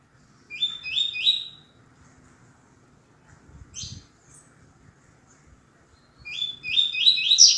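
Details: Double-collared seedeater, a tui tui zel zel master bird for tutoring young males, in deep "grosso" song: a burst of rising whistled notes, a pause with one brief buzzy note, then a louder run of sweeping whistles.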